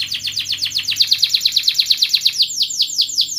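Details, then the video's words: Singing canary with ngerol and ngerek mbarong style rolls, used to coax lazy canaries into song. A fast series of high chirps breaks into slower, sweeping downward whistles repeated about three times a second. "Kenari gacor NGEREK MBARONG Cuit cuit NGEROL ini terbukti Ampuh untuk pancingan Kenari Malas BUNYI"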